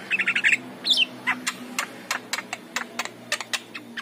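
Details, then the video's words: Javan myna singing energetically in the morning, played as a lure to draw other Javan mynas: a quick burst of chattering notes and a few short whistles, then a string of dry, sharp clicks repeated about three times a second. "JALAK KEBO || SUARA BEGINI WAJIB DIPUTAR DI PAGI HARI UNTUK PANCINGAN"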